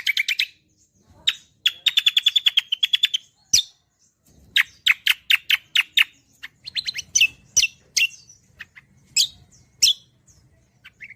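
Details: Cucak kombo leafbird singing gacoran-style as tutor audio: a fast even trill of about a dozen notes, loud single chips, then lively phrases of rapid repeated chirps and squeaks.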